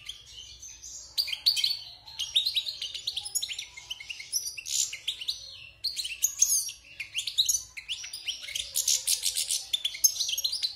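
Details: Wild European goldfinch, six months in a cage after coming out of its moult, singing a fast, high, tinkling twitter of bright chirps and trills in bursts, with a brief pause near the middle.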